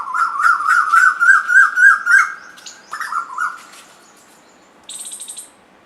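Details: Asian koels, two birds playing together and singing: a loud rapid run of about ten rolling whistled notes in two seconds, then a brief rising phrase, followed by a short high hissing burst.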